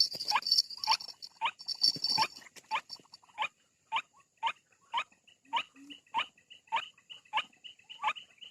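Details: White-breasted waterhen call used as playback to bring birds out of bushes: after a noisy, crowded opening, clear harsh clipped notes follow at about two per second, with soft low squeaks and a steady high whine.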